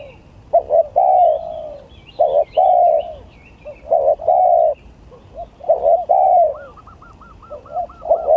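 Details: Spotted doves competing in a gagap tindan versus klantan song contest, cooing in low hollow phrases about every two seconds, with scattered high chirps and a rapid run of looping whistles from another bird near the end.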